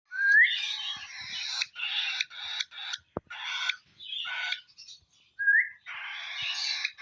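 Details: Lovebirds kept for breeding on a farm, chattering in dense, harsh, buzzy bursts separated by short gaps, with two brief rising whistled notes and a single sharp click near the middle.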